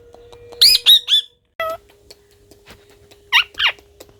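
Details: Pet parrot said to be talking: three quick high, bent harmonic notes, then a single lower note after a pause, and two more notes near the end over a steady faint hum.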